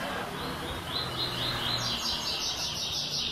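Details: Classic tuí tuí zel zel third-note song of a white-throated seedeater: several short rising whistles, then a dense buzzy trill of rapid repeated notes, against a loud hissing background.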